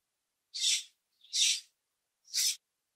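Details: Common grackle in a backyard or on a nature walk repeating a harsh, noisy, guttural squeak three times, roughly once a second, each burst broad and raspy.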